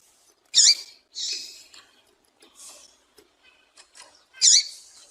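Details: Female double-collared seedeater calling, used to attract and excite males: high, thin squeaky chirps, some sharply rising and falling, given singly at irregular intervals with short softer notes between.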